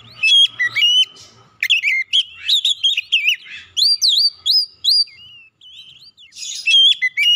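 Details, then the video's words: A rich whistled Oriental magpie-robin song, used as a lure to get a stressed, untrained bird singing. It opens with bright notes, pauses, then gives a rapid series of warbled and upslurred whistles and ends in a brief burst. "PANCING 30 MENIT TIAP HARI PAGI | SIANG | MALAM KACER BAHAN SETRES CEPAT GACOR"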